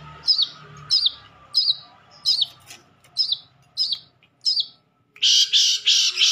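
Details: Madura long-tailed shrike tutor recording with sekebon-style fill-ins: eight high, hooked chips at a steady pace of about 1.5 per second, then a dense burst of loud, scratchy, high chatter at the end.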